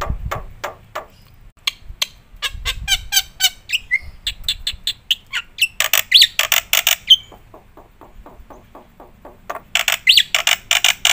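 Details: Black-winged myna in full, varied song used for training and tutoring other birds: harsh squawks, rapid chattering bursts and scratchy broadband notes in irregular phrases, with a short whistled note near the middle and a low hum underneath.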